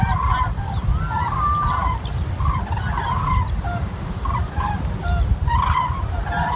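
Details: Many common cranes trumpeting near Wiesbaden-Auringen; short honks and a few drawn-out, level calls overlap in bursts, backed by a continuous deep rumble.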